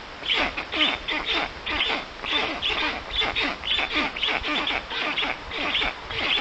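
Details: At a black stork nest in the Puszcza Notecka forest, Poland, 13 June 2019, early afternoon, with an unfamiliar adult visiting the chicks: a steady series of rasping calls, about two each second, in short bursts.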